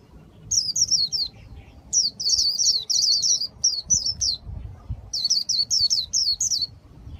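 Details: A keeper's caged Japanese white-eye in Vietnam sings khuyên líu: lively clusters of high, rapidly falling chirps in three long phrases, interrupted by short pauses and faint low bumping sounds.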